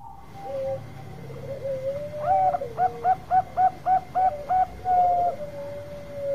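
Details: Bangkok zebra dove, long-voiced lure bird for provoking others: soft trilled coos lead into a run of seven loud, evenly spaced, hooked, bubbling notes, then a long level tone trailing off, over a faint steady whine.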